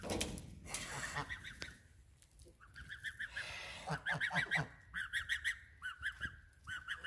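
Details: Loud geese honking: clear nasal calls come in quick groups of two to four, with a burst of noise and scattered clicks at the start.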